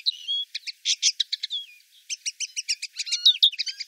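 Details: Common linnet recorded in 2018 in the town of Wittlich: a lively, twittering song burst of dry chirps and short nasal notes, a brief pause near the middle, then a denser run of quick tweets.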